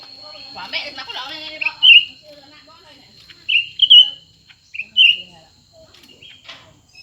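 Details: Two cucak ranting birds, one new and one old, compete in song: bright whistled phrases that rise and fall with a short trill, heard in several bursts. Scratchy rustling and noise come at the start.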